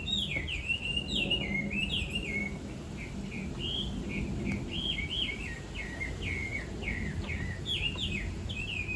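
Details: Chinese hwamei singing in the countryside, a bird that wakes the listener every morning; varied slurred whistled phrases, quick up-and-down notes strung together with short pauses, over steady low rumbling background noise.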